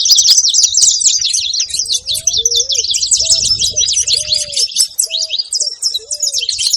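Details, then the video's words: Saffron finch calls: a dense wash of sharp high chirps, thinning toward the end, and a run of lower arched whistles from two to six seconds. "Canário da terra fazendo barulho"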